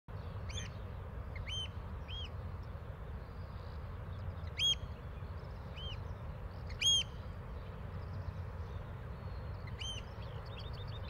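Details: Eurasian oystercatcher family in Bedfordshire, UK, June 2022. Adults across the water call to their juvenile with loud, shrill piping 'kleep' calls, single or paired, every second or two, over a steady low rumble of wind or distant traffic.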